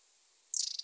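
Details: Long-tailed tit giving one brief, very high, rapidly pulsed trill, slightly buzzy and falling a little in pitch, after a moment of near silence.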